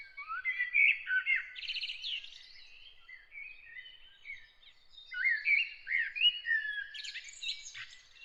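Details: Early-morning bird song of rapid twittering phrases, buzzy trills and sharp chirps in fast succession, several bursts separated by short quieter gaps, heard against a quiet background.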